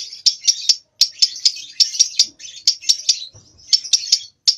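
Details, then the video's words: Lovebird about two months old practising its song; bursts of rapid, sharp chattering notes, a short pause and a faint low thump, then the chatter resumes. "LOVEBIRD PAUD Nyeklek Belajar Ngekek"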